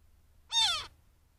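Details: Young Cooper's Hawk calling at a desert critter pond in mid-morning: a single harsh, piercing screech with rich harmonics, gliding downward over about a third of a second, set against quiet low background hum.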